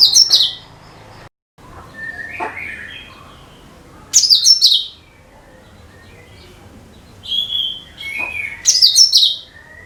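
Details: Lure song of cucak kinoi for all bird types: three sharp, high, chattering bursts a few seconds apart, each sweeping downward, with lower whistled notes in the gaps.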